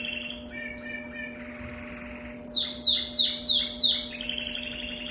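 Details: Canary with an uncommon song: a few soft chattering notes and a hushed pause, then five loud, rapid falling whistles in a row, ending in a buzzy trill; faint hum throughout.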